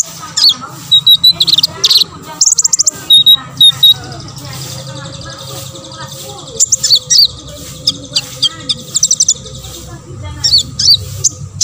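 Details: Olive-backed sunbird (konin) singing energetically, played to provoke other sunbirds into singing; high, thin chirps and fast twittering trills come in short bursts with brief pauses, over a steady low background hum.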